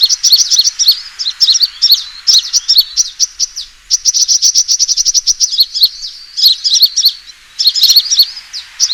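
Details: Lure recording of a sunbird's fighting call: sharp high chirps in rapid clusters and long fast trills, broken by short gaps, with scratchy twittering notes mixed in.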